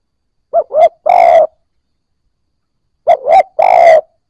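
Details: Spotted dove, newly caught, beginning to call, played to rouse other new birds: two phrases two and a half seconds apart, each a short hoot, a second rising hoot, and a prolonged mellow coo.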